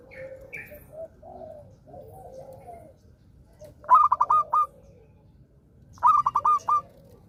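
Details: Zebra dove singing keenly, suited to prompting other silent doves: soft low murmurs at first, then two bright phrases of quick, evenly pitched coos about two seconds apart, each ending in a lone final note.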